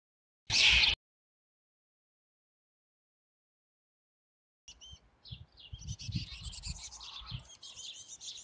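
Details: Black-capped chickadee female confronting a house sparrow: a short, loud, explosive rasping hiss of under half a second, then silence, followed by busy high chirps and twitters over low rustling noise.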